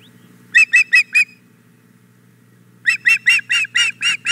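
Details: Female osprey on the Hog Island Boathouse nest on a May 2017 morning, demanding the fish the male delivered: four shrill whistled chirps, a pause of over a second, then eight more in quick succession.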